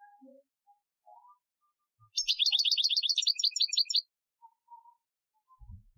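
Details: European goldfinch in an Algerian-style training song, 2015: after near-quiet faint tones, a two-second burst of fast, bright, tinkling trilled notes, then quiet again with a low rumble at the end.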